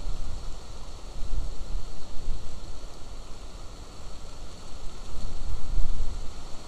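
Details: Broad rushing noise like rain or running water, swelling and fading with strong low rumble; no animal voice.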